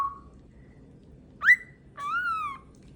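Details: A male pet cockatiel (Nymphicus hollandicus) puffs his wings and gives loud, shrill whistled screams, one sharply rising and the next a longer wavering note, while visitors play with him.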